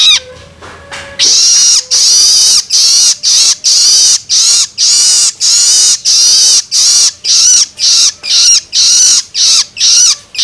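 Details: Loloan begging of a young long-tailed shrike, used to stimulate adult birds. After a brief low tone at the start, harsh hissing rasps follow steadily at roughly two per second for ten seconds.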